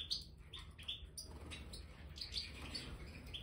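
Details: Captive Major goldfinches in an aviary, with newly spread bird sand, trade short sharp tinkling chirps in two loose clusters against a hissy low background.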